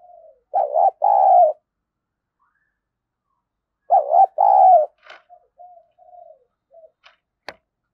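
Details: Decoy spotted dove luring wild doves with thổ-style cooing: two loud double coos about three seconds apart, followed by quieter soft coos and a few sharp clicks near the end.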